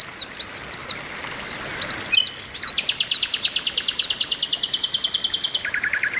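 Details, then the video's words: Oriental white-eyes calling in a group to bring birds into song; high slurred chirps give way to a long steady buzzing rattle with chirps over it, ending in a lower rattle. "TERAPI PLECI OMBYOKAN BIKIN CEPAT GACOR"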